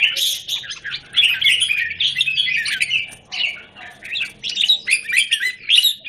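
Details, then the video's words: Red-whiskered bulbul singing in a square cage, 17 January 2019; rapid chattering phrases of sharp chirps and short whistles pour out almost without break, growing choppier toward the end. "Jambul - WingChun mastery of the square cage"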